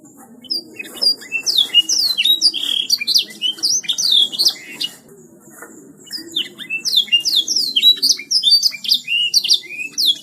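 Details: A singing canary in lively gacor style delivers long bursts of fast, high, sweeping whistles and chirps. A short quiet break comes near the middle before another dense, rolling phrase.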